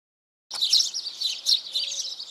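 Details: Eurasian tree sparrow song, a rather uncommon, locally seen sparrow: a rapid series of bright, high chirps after a half-second of silence, varying in loudness, with a faint low steady tone in the background.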